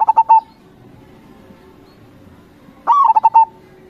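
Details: Perkutut lokal, the Indonesian zebra dove, in crossing-style song. The tail of one stuttering phrase is followed, after a short quiet pause, by a full phrase: an upswept note, then several quick, evenly spaced hollow coos.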